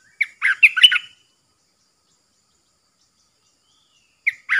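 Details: Caged decoy bulbul recorded 13 April 2021 while wild birds come in: a quick burst of bright, warbling notes jumping around in pitch, then a pause of about three seconds before another short phrase starts. No other sounds.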